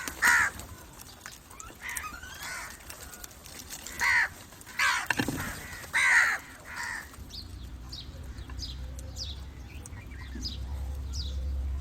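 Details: Series of about five harsh, hoarse crow caws spaced one to two seconds apart, from a call used to attract crows, then thin high chirps from small birds over low rumble.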